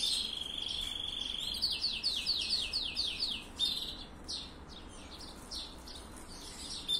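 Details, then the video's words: Copper-coloured canary singing in breeding excitement: a steady high rolling trill, then a run of quick descending chirps, about two a second, fading into sparser notes over a low background hiss. "تغريد كناري نحاسي"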